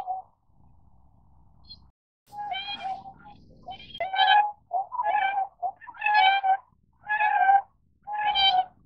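Tundra swan giving about seven nasal, hooting calls, roughly one a second, each rich and slightly wavering. A low rumble of wind sits underneath at first.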